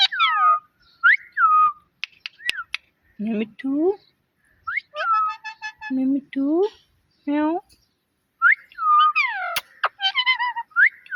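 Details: Pet parrot mimicking words and meows over about eleven seconds: whistled down-slurs, low nasal meows, a buzzy stretch of pulsed notes and sharp clicks, all in quick irregular bursts.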